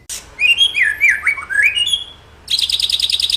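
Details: White-rumped shama lure song to spark full singing with mimicry: a sharp opening note, a wavering series of rich whistled slurs rising and dipping, then a quick repeated buzzy trill.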